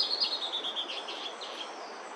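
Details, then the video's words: Bertoni's antbird foraging on bamboo in Brazil, singing a quick run of raspy high notes that step downward and fade out over about two seconds, with a faint hiss of background noise. "Bertoni's Antbird singing and foraging on bamboo"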